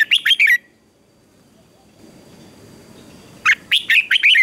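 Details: Red-whiskered bulbul in a morning contest song: the end of one quick warbled phrase, about three seconds of near quiet with soft background rustle, then another burst of bright whistled notes.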